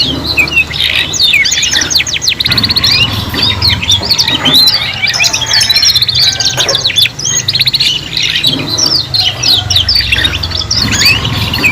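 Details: Young canaries learning song in a trio: long overlapping sequences of rapid rattling trills, bright chirps and downward whistled sweeps, nearly continuous, with a steady low hum behind.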